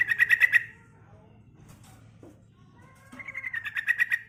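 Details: Female yellow-vented bulbul calling a male, used as a lure recording: a rapid harsh pulsed chatter near the start, a quiet gap with faint low hum, then another fast rattling burst of repeated notes at the end.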